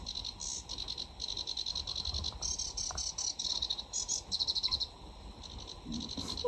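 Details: Singing sedge warbler, summer breeding visitor in the UK, in full flow, delivering rapid scratchy rattles and dry chirping bursts in uneven runs, with a short pause near the middle before the chatter resumes.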